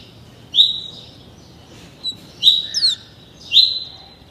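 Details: Double-collared seedeater, a young captive bird only 30 days old, trained in the tuí tuí Alcântara song; three spaced, clear whistled slurs, the middle one followed by a quick descending chip, quiet between phrases.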